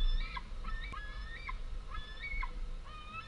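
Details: Fledged White-tailed eagle young, two of them, scream for food at the nest amid wing-flapping while the females land with small prey, 11 August 2014. Drawn-out whistled screams end in sharp rising squeals, repeating about every half second.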